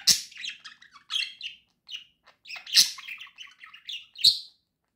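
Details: Cheerful singing from two pet budgies, with strong sharp clicking notes at the start, near the middle and near the end, linked by rolling, buzzy chatter and squeaky tweets.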